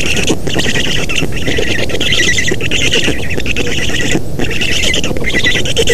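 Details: Black stork at a nest in Estonia on 3 June 2017, during an arrival at the nest and feeding. Harsh, raspy squawking runs on steadily with brief pauses, over a constant low rumble of wind.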